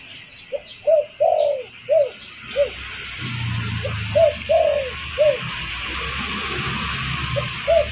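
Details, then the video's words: Spotted dove call played as a lure to attract wild birds. It gives low, mellow cooing phrases: short coos lead into a longer slurred coo. The phrase is given twice. A steady low rumble runs underneath from midway. "Suara pancingan burung derkuku bakalan ampuh"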